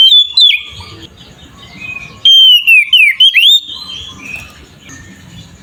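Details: Oriental magpie-robin in aggressive ngeplong song meant to provoke rival magpie-robins: sharp whistled notes at the start, then after a pause a burst of quick sliding, dipping whistles, over soft low rumbling background.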